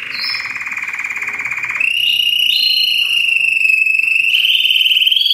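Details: Many Belgian canaries singing at once in a 'baderna', meant to stimulate other canaries, especially young birds or adults after moulting, to sing; loud, unbroken rolling trills hold a high, nearly steady pitch, stepping slightly upward, with overlapping voices.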